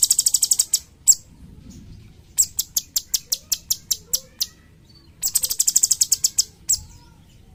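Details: Cucak cungkok, a bulbul kept as a tutor bird for training songbirds. Rapid trains of sharp, very high chirps fall silent for a moment, then resume in bursts of ten or more evenly spaced notes.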